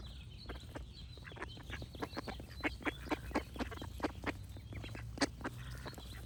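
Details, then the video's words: Clear, separate duck quacks repeated roughly every third of a second in a loose rhythm, over a low steady hum and faint high bird notes. "Cute Duck Quack Sound Effects with Birds Singing"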